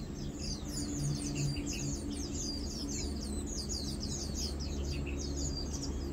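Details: Mainly feeding lowland white-eyes, recorded 2 August 2022, keep up a busy stream of very high, quick chirps and twitters in overlapping series, with a low droning hum underneath.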